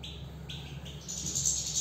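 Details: Goldfinch in song: a few high chirps followed by a brighter, buzzy twittering burst, over a low constant hum.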